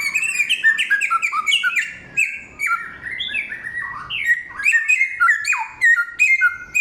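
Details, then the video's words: Samyong, said to have a thousand voices, singing loudly and clearly: fast varied phrases of sliding whistles and chirps, many notes stepping down in pitch, with a short pause midway. "Inilah real samyong 1001 suara... Suara kencang, jernih, materi 1 hutan"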